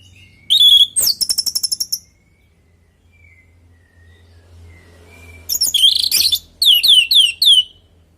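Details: Lively natural song of an orange-headed thrush, played to coax other birds to join in: a rapid rattling trill of high chips, a quiet pause with soft distant notes, then dense twittering and a series of sweeping downslurred whistles.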